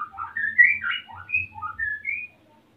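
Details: Male white-rumped shama in breeding condition, eager to mate while the female builds a nest, in Salaman, Magelang, Central Java; a rich run of clear whistled phrases jumping up and down in pitch over about two seconds, then silence.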